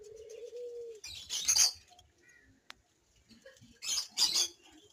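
Ring-necked parakeet giving two harsh, rasping screeches about three seconds apart, after a low steady tone at the start.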